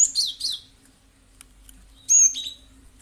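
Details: Lure calls of a cinereous tit (gelatik batu) meant to draw replies from other birds: a pair of bright, slurred high chirps, a pause, then a loud clear whistled note with a buzzy tail; quiet background hum.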